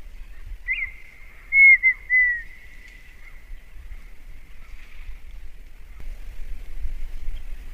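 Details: Red-winged tinamou, a common bird of the northeastern Brazilian sertão, singing: a clear whistled phrase that slides slightly downward with brief louder swells, then faint lingering whistles over a soft low rumble.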